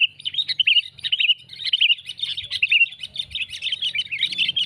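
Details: Lure call of sooty-headed bulbul used in bird trapping, a run of quick chirps and warbled phrases, building into thicker overlapping chatter toward the end, with soft low rumbling beneath.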